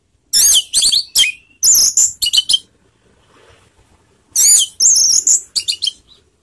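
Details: 'Teler' song of an orange-headed thrush, meant to raise emotion and breeding urge as a lure: rich, fast sequences of high squeaky and warbled notes in two long phrases, divided by a quiet pause.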